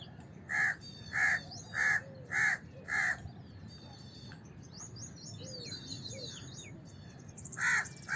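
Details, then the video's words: House crow giving a run of five harsh, nasal caws about every 0.6 seconds, a pause, then two more caws; many small birds chirp and whistle high in the background. "House Crow Call"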